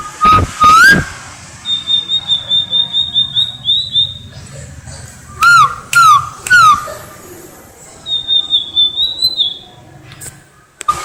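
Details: Tledekan lait bird giving its cplekan song: long high wavering trills repeated twice, alternating with short lower whistles that curl upward, mixed with loud sharp clattering bursts.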